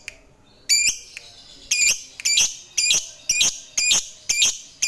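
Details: Indonesian fighter lovebird calling to provoke rivals: a series of sharp, high screechy notes repeated roughly once per second, seven in a row, each clipped and strident.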